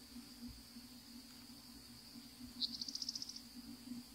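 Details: Savannah sparrow wintering in Florida, one perched bird: after quiet hiss, a sharp high note launches a short, fast, buzzy trill of even high pulses, somewhat fainter, then background hiss and low hum resume.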